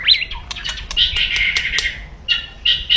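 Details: White-rumped shama, captive, giving aggressive crackling song to provoke rivals: a swooping whistle opens, then a buzzy, crackling high chatter broken by sharp clicks, with short harsh bursts near the end.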